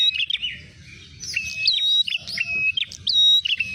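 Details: Ashy tailorbird lure sound for trapping birds: loud, sharp chirps and clear, steady whistled notes that overlap in a busy, repeated pattern. A low rumbling hum runs underneath throughout.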